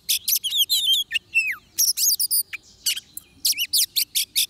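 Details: Oriental magpie-robin singing at a trapping site: rapid sequences of clear whistles, downslurred notes and scratchy broadband bursts, tightly packed and energetic, with a steady faint low hum beneath.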